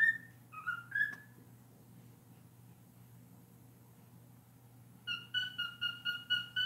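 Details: Pet cockatiel indoors with learned honking and scream song; a few whistled notes at the start, then silence, then a quick series of about seven similar repeated whistles, over a low hum.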